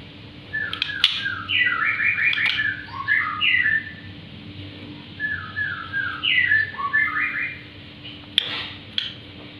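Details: Black-winged myna singing, a series of short whistled notes in stepped phrases, some rising and some falling, given in two bursts with a pause between, over a faint steady hum.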